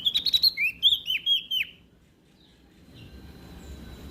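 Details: Olive-backed tailorbird from NTB, Indonesia, singing in a lively, vigorous style used to prompt quiet birds to sing: quick whistled notes near the top of its range, then a run of about six descending slurred chirps, followed by quiet.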